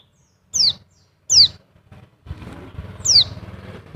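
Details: Oriental white-eye (Bali 'dakun' type, used as a lure or therapy call to get other white-eyes singing) giving three thin, high, sharply descending call notes about a second apart, over low rumbling background noise.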